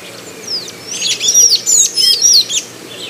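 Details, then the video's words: Golden-chevroned tanager from Brazil singing a brief, hurried string of thin, high squeaky notes with sharp upslurs and downslurs, about two seconds long. "O canto do Sanhaço de Encontro amarelo"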